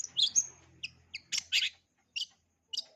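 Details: Long-tailed shrike singing full repertoire phrases for young birds to learn. A high, sliding whistle and some buzzy chirps are followed by two loud, harsh bursts and then sparse single chips, over a brief low hum.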